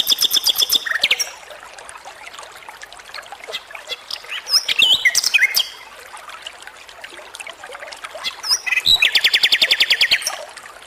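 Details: Energetic flycatcher (sikatan) song: bursts of rapid high chattering trills and sharp whistled notes separated by quieter stretches, ending in a dense buzzy rattle, over a hissing, trickling background.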